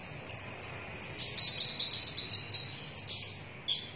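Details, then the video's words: Red-chested sunbird (konin dada merah) giving thin, high whistled notes and short trills, with sharp chips every half second or so against soft background noise. "KONIN DADA MERAH GACOR"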